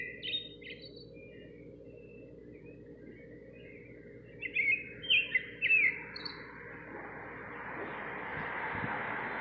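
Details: Nightingale singing outside a kitchen window: a few whistled and warbled phrases, a cluster of quick bright notes midway, then a rising wash of background noise.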